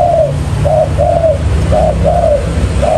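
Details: Spotted dove kept as a trapping lure, cooing in gentle paired notes, a clipped coo then a longer sliding one, repeated at an even pace over low background hum.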